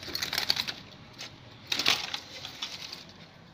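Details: Sharp, dry clicks and tapping rattles come in short bursts, like coins or keys striking a hard surface; no animal voice is heard.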